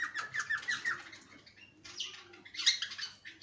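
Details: Caged cockatiel making quick clustered chirps, then a short lull before a louder burst of squeaky notes, with faint room background.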